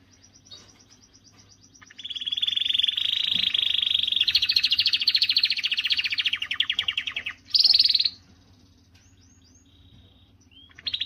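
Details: Canary in strong song meant to stimulate females and train singing. After a quiet start, a loud continuous rolling trill lasts over five seconds, a short higher burst follows, then faint scattered calls and a trill resuming at the end.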